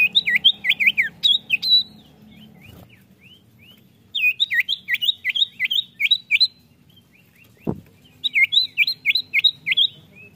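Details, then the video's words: Common iora song serving as a lure for caged birds, three bursts of quick looping whistles, each bout of six to nine notes separated by a few thin soft notes, with one sharp click and steady low hum. "PANCINGAN BUNYI CIPOW"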